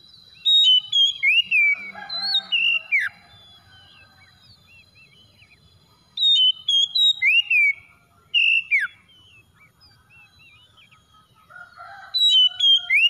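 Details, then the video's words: Singing kacer (Oriental magpie-robin) for luring a hesitant bird into song: three outbursts of loud, varied whistles with sharp downward slurs, each a couple of seconds long, with quiet gaps between. "SEKALI PANCING KACER SUSAH BUNYI LANGSUNG ON IKUT GACOR"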